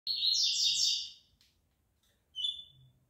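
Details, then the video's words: Two collared seedeaters being warmed up for a song contest the next day: a dense burst of buzzy, high twittering notes, a pause, then a single clear drawn-out whistle. "COLEIROS FALCONE E CAVEIRAO NA MEXIDA PARA O TORNEIO DE AMANHA"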